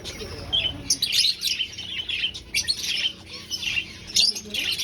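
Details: Aviary finches looking for a nest in a breeding colony: thin, high chirps and twittering notes come in quick irregular bursts from several birds.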